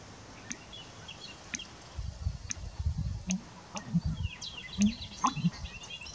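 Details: A male American bittern gives his mating call while displaying: deep, gulping, pump-like booms, several low hollow notes about a second apart, while small birds chirp faintly in the background.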